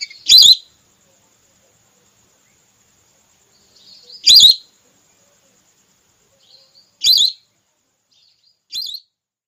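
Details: Female whistling duck call of the red or plain type, used as a hunting lure played from a speaker in Indonesia; short high whistled notes in brief bursts, one roughly every two to three seconds, with quiet gaps between.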